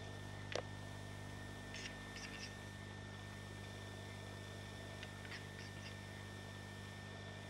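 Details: Two rival male Western capercaillie duel at a spring lek; one gives a sharp pop, then two short bursts of dry, rapid clicking a few seconds apart, faint over a steady low hum.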